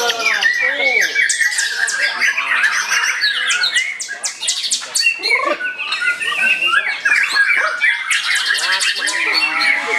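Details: White-rumped shama in full song at a regular practice bird-singing contest: a dense, nonstop medley of clear whistles, buzzy trills and clicking chips, with bursts of high rattling notes and other caged birds audible behind it.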